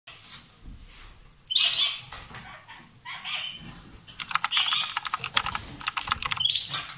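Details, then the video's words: A pair of lovebirds, kissing or exchanging food, give loud, harsh, high chirps in short bursts with rapid clicking rattles in between. "Gli inseparabili | 20minutes Love birds Sound"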